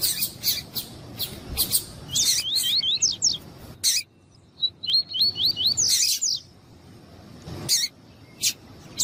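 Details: Tuí-tuí song from a double-collared seedeater, with a female calling to stimulate the male: two runs of fast upslurred whistles, each followed by loud sharp chips, with many clicks and chips between the runs.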